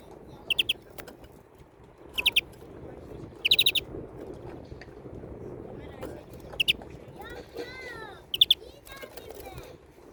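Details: European greenfinch uttering clusters of two to four sharp chirps every second or two across ten seconds, with a softer warbled phrase and clicking in the middle over steady background noise.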